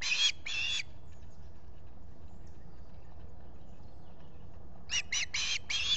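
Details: Osprey at the Salt Point nest in New York's Finger Lakes, a visitor present in July: two sharp chirps open, a quiet gap follows, then a quick burst of four shrill piping notes.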